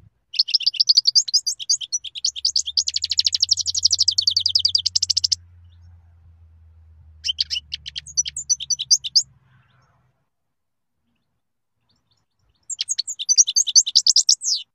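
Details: {'caption': 'European goldfinch in sustained song: long runs of rapid, high, tinkling twitters and buzzy chattering notes, broken by a brief pause and resumed in fresh bursts, with a faint low hum beneath.'}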